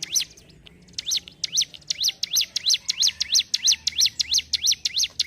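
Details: Mountain ciblek, the Sunda whistling thrush, delivering a steady run of quick, high zigzag notes, roughly three each second, evenly spaced and loud throughout, over a soft low background rumble.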